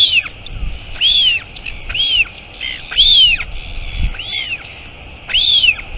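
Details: Royal albatross at the nest as the mother arrives, colony at Taiaroa Head near Dunedin, New Zealand, filmed by a nest cam: high arched whistles, rising then falling, repeated about once a second over steady background hiss.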